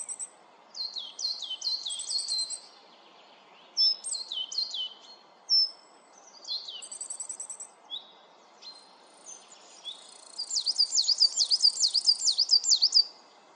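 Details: Coal tit in the Netherlands giving thin, very high notes: quick falling sweeps in short bursts, then a fast run of about a dozen see-sawing notes near the end, over faint background hiss.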